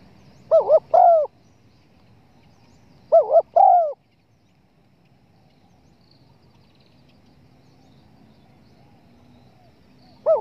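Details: Spotted dove cooing, played as a hunting lure to draw the birds in: low, mellow phrases of a wavering double coo then a longer sliding coo, given every few seconds with quiet stretches between.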